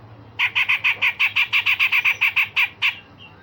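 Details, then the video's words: Grey-cheeked bulbul singing the rapid sharp 'shots' of cucak jenggot song used to train other songbirds. An even, fast burst of about fifteen rasping notes runs for nearly two and a half seconds, then stops. "Cucak jenggot Besetan Kasar dan Tembakan Tajam"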